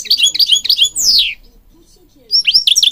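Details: Goldfinch from Morocco singing for bird training: rapid chirping twitters, a long falling whistle, a pause, then more bright twittering.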